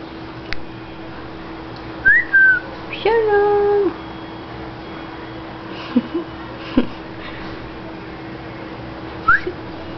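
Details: A female lutino cockatiel gives a few clear whistles, one sliding down, then a longer steady two-toned note indoors.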